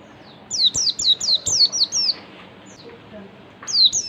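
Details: Oriental white-eye ngalas song used as a lure for other white-eyes: seven fast, high whistles, each dropping sharply in pitch, followed by a short gap and two further descending notes.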